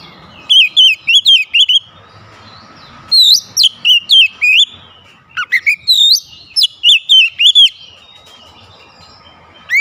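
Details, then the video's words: Oriental magpie-robin blasting loud whistled phrases with its beak wide open, quick rising and falling notes in clusters, set against a steady faint hiss and low hum. "KICAUAN KACER BUKA PARUH LEBAR TEMBAKAN PEDAS"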